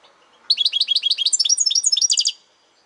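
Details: A European goldfinch sings a single two-second phrase of fast, bright, liquid twittering notes, roughly ten per second, close and clear against a quiet background.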